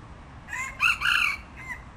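A red junglefowl gives a brief, hoarse crow: a short opening note, a louder two-part middle, and a clipped final syllable, all within two seconds.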